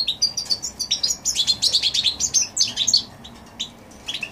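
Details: Goldfinch x canary hybrid singing in January 2016: a rapid twittering run of high, bright chirps and short trills for about three seconds, then a few scattered notes.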